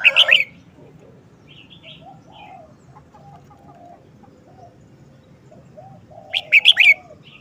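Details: Short, busy song of a red-whiskered bulbul: a fast cluster of bright chirping whistles opens, followed by about six seconds of near quiet with faint distant calls, then another quick, lively run of slurred notes.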